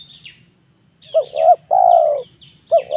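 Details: Tekukur, a spotted dove kept as a decoy for wild doves, cooing in the afternoon: a short rising note, a second clipped note, then a long steady coo, with another phrase starting. Faint high twittering and a constant whine behind.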